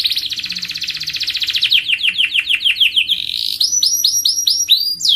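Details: Canary song to spur other birds into song: a rapid trill turning into falling swept notes, then a repeated series of rising clipped whistles.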